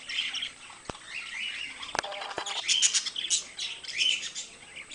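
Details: Two pet budgerigars chatter in high, scratchy twitters and short whistles, while several sharp knocks and a brief rattling sound occur early on, before the warbling grows louder.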